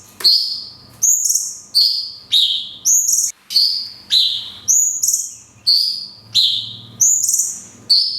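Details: Cungkok delivering long 'tembakan kunti' song with natural pauses, a training recording for songbirds: quick whistled notes, alternating falling and higher two-part phrases, repeated about every 0.7 seconds.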